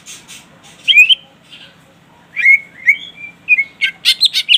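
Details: Greater green leafbird singing in a gacor style to call a rival, used as a lure; clear whistled slurs around the upper-middle range in short bursts, then rapid buzzy chirps toward the end, with quiet gaps between phrases.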